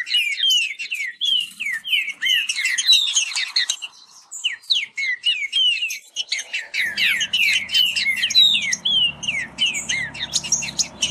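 Green-winged saltator pouring out rapid, rich whistled phrases with no pauses, rising and falling sharply, over a faint low rumble in the second half.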